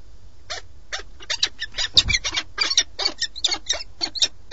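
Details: A mated pair of peregrine falcons, on a webcam in Alcalá de Henares, Madrid, on 4 March 2017, greeting each other in recognition, trade harsh, rasping calls in quick bursts of about three or four a second, with brief low thumps beneath.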